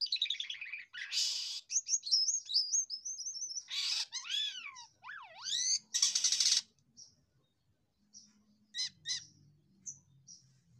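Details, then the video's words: Jalak kapas myna singing nonstop in the loose 'losdol' style: loud, varied whistled phrases, rising and falling slurs, harsh buzzy bursts and quick chirps. The song fades to scattered soft notes near the end. "SELALU MEJENG DENGAN KICAUANYA,JALAK KAPAS LOSDOL"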